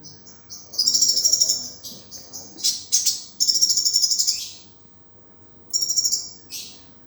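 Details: Sunbird song used as tutor material for training other birds: high, fast buzzy trills in bursts of one to two seconds, mixed with sharp chips and short pauses.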